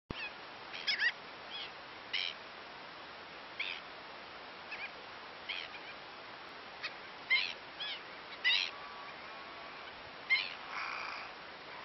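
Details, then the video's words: Egrets squabbling, probably over food, stirring up the surrounding birds near a night heron: short harsh rasping bursts repeated irregularly about once a second, some overlapping, with a longer noisy call near the end. "Discusión de garzas"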